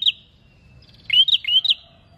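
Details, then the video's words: Prinia singing to trigger song in other birds: one brief rising chirp, a pause, then three quick upward-sliding notes in a tight row. "PRENJAK GACOR UNTUK PANCINGAN BUNYI"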